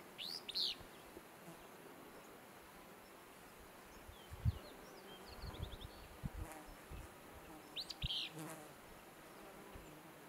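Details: Willow flycatcher singing "fitz bew" at Pearl Lake, Montana, 30 July 2020: two short, sneezy, buzzy phrases about eight seconds apart, faint high notes between, over a low hum of buzzing flies and thumps.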